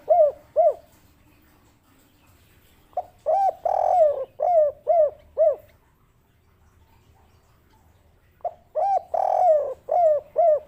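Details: Kept collared dove (derkuku) giving its 'kuk 3 cendolo' cooing: two short hoots, then two complete phrases, each a quick opening note, a drawn-out rolling coo and a run of three or four soft hoots, with quiet pauses between.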